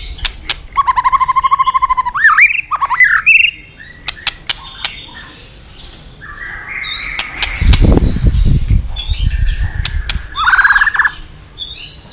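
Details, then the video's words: Forest White-rumped shama opening with a fast, even rattling trill and looping whistles, followed by scattered clicks, a loud low rumbling burst of noise, and more varied whistled phrases. "Terapi Murai Batu Hutan"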